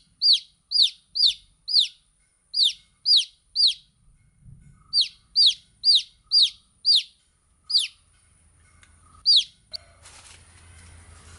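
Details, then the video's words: Runs of shrill, falling baby chick peeps, several per second, with a pause midway; a burst of broad rustling noise ends the recording. "Cute Baby Chicks Chirping Sound"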